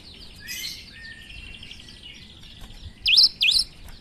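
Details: Actively singing cinereous tit with a strange voice; a low, soft, rambling warble runs for three seconds before two loud, sharp V-shaped whistles ring out near the end.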